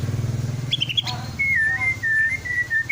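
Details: Captive white-rumped shama, twelve months old and past its juvenile spotting, from Klaten, Central Java, singing to prompt other shamas: after a second of low pulsing engine-like rumble, clear whistled notes hover at one pitch with slight dips.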